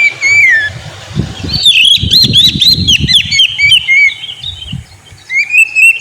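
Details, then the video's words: Kacer lure song to rouse a sulking Oriental magpie-robin: a falling whistled slur, then a rapid series of looping chirps over low knocking and rustling, ending with a rising whistle. "Pancingan burung Kacer; yang lagi ngambek bunyi"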